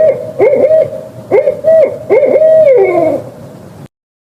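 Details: Barred owl hooting: a few clipped hoots, then a longer hoot ending in a falling, wavering tail, from a set of songs, calls and mating calls.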